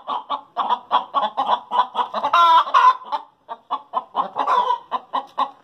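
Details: Backyard hens give their post-laying cackle, a steady train of short clucks about three per second rising into a long strident squawk midway, then resuming clucks, with more than one hen calling at once.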